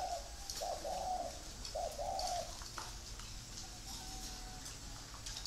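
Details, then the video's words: Free-range breeding spotted dove from Ba Vì, Hanoi, Vietnam, delivering two soft, mellow coo phrases of slurred notes early on, then fading to faint distant cooing amid steady background hiss. "chim cu gáy nuôi sinh sản thả rông"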